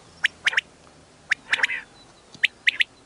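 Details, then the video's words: A quail's call used for hunting: short, clipped, high chirping notes delivered in quick groups of two or three, with brief pauses between the bursts, over a faint background hiss. "batair ki awaz"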